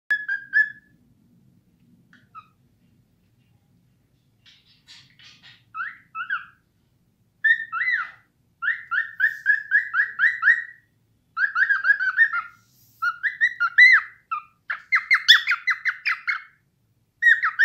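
A cockatiel whistles in quick runs of bright, repeated notes near the same pitch, with short pauses between phrases.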